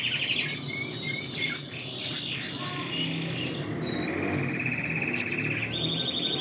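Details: Intense red canary with Spanish Timbrado training, singing short slurred whistles followed by a long even rolling trill and a higher sustained tour, over background hum.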